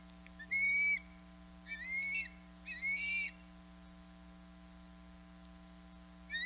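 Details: Hog Island osprey, a female on her nest in late April 2022, calls for her mate to deliver fish; clear rising whistles come in three short bursts, then a pause, with steady electrical hum behind.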